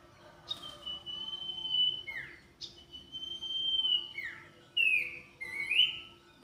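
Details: Common iora in full song, giving long sustained clear whistles that end in quick downward slurs, followed by short bright rising whistled notes. The recording is clean, with little background noise.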